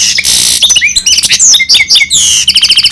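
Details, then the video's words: Goldfinch and canary hybrid opening with a harsh buzzy note, then quick descending whistles and a run of repeated high chirps. "Гибрид щегла с канарейкой/ سایره کنری/ hybrid of goldfinch and canary"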